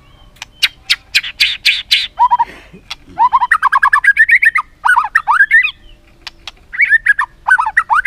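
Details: ['Rich white-rumped shama filler song used for training other shamas: sharp clicks and scratchy bursts, then long rapid streams of rising, wavering warbled notes with brief gaps.']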